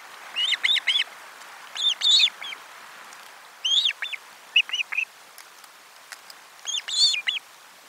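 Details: An Osprey calling at its nest on 12 July 2022 as lunch fish is delivered. Loud, whistled, upward-arching chirps come in rapid groups of three to four, repeated at irregular intervals.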